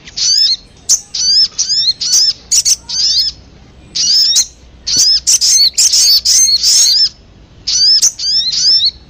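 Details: Sogon (Crimson Sunbird) lure sound meant to attract birds and provoke them to sing. High, thin chirping phrases, each a quick cluster of sharp descending notes, repeated in bursts with short pauses. Quiet background.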